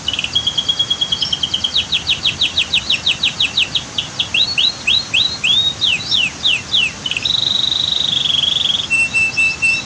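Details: Canary pouring out song near rushing waterfall water: a fast trill, dense runs of clipped notes, curved whistles, then another buzzing trill and short high notes.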